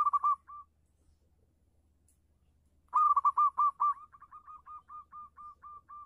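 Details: Local Indonesian zebra dove with a clear voice, in full song: a brief cooing burst opens, then after a pause a loud run of quick repeated coos trails off into a steady series of softer, evenly spaced notes.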